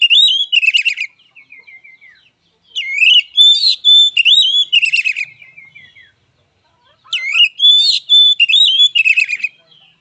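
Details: Fighting song from an oriental magpie-robin, heard as three strong bursts of rising and falling whistles ending in buzzy trills, separated by soft descending twitters and short pauses.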